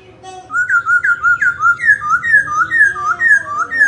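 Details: Loud, continuous laughingthrush song of rich slurred whistles, each rising then falling. Short phrases come in quick succession, about two a second, over a low background hum.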